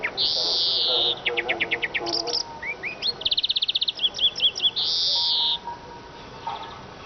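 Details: Eurasian siskin singing in a rapid, twittering jumble of high notes. A long buzzy wheeze opens the phrase, followed by quick trills, rising chirps and fast ticking runs, and another drawn-out wheeze at the end. Steady hiss is heard in the background.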